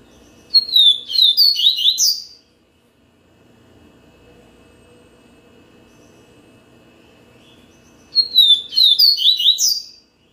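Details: Two song phrases of a yellow-bellied seedeater, roughly seven seconds apart, each a tumbling two-second string of high, sweet whistles and short trills, with a faint low hum in the pause.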